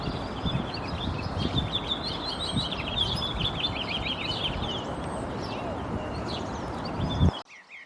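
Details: A house finch, a North American species introduced to Spain's Murcia region where it lives in parks and gardens, sings a fast, rambling run of bright chirps and warbled notes for about five seconds over a steady rumble of wind or distant traffic.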